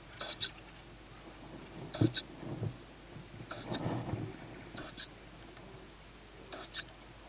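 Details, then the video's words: Begging owlet of a tawny owl reacting to its mother's arrival, 21 May 2017 at 21:38; five thin, hoarse squeals roughly every one and a half seconds, mixed with low scuffling and rustle. "Tawny Owl-Small hears Mom,first food for sib on roof,then feeding"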